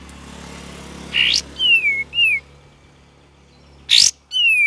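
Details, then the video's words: Cream-vented bulbul singing in a lively gacor and ngeriwik variation: a few clear downward-sliding whistled notes between sharp, noisy bursts, with a low steady hum underneath. "KAPAS TEMBAK VARIASI GACOR DAN NGERIWIK"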